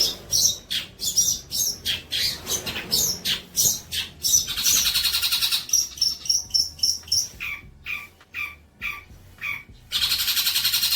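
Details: Long-tailed shrike song used to train young birds, fast varied chattering, a run of clear repeated whistled notes, then lower scratchy calls and a closing burst of dense, hissing high sound.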